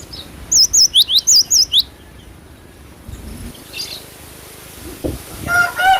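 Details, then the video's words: Cinereous tit (glatik batu) in full song opens with six or seven loud, high, wavering whistled notes delivered rapidly. Quieter rustles follow, then a lower, drawn-out call from another bird at the end. "GLATIK BATU GACOR"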